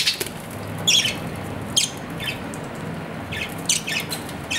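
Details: Pet budgerigar uttering scattered sharp, high chirps, roughly one each second in loose clusters, separated by quiet stretches over a low steady hum.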